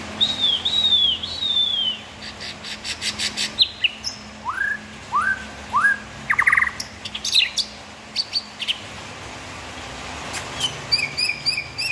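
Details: Murai batu tutor recording full of 'isian tembakan': a wavering high whistle, dense bursts of clicks, a run of rising whistled swoops, sharp chatters, and a final rapid ticking with repeated high notes.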